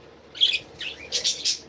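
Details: Adopted pet budgerigars kept in a garden aviary, giving a short burst of high, scratchy chirps and warbled notes, several quick clustered syllables after a brief quiet start.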